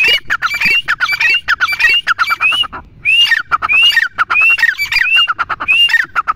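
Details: Grey francolin calling loudly and harshly, a rapid run of shrill rising notes repeated over and over with a grating, squawking edge.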